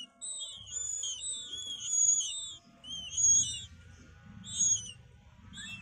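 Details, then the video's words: White-rumped shama chicks begging while a parent feeds them, at Glodok: repeated high, thin wavering whistles with upper harmonics, uttered in short bursts about once a second, over a low background rumble. "Ngintip murai batu d Glodok lagi loloh anaknya"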